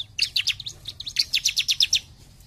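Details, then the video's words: Bar-winged prinia in vigorous jump shoot singing, a short, dense run of piercing high chirps delivered very rapidly, about a dozen notes in under two seconds, over faint low hum. "CIBLEK GACOR JUMP SHOOT"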